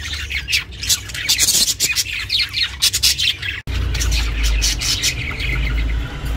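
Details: A pet budgie recorded for lonely budgies chirps in a lively burst of raspy high squawks for about three seconds, then a cut leads to quieter chatter over a louder low rumble.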